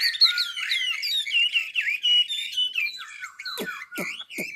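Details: Chinese hwamei of Ha Giang, Vietnam, pouring out a run of varied slurred whistles, upward and downward sweeps strung closely together, then a few sharp clipped notes at the close.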